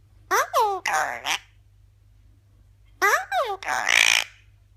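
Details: Pet Eclectus parrot talking indoors, producing two bursts of speech-like syllables, three or four quick voiced sounds each, separated by a pause of over a second. The background is a quiet room with a low hum.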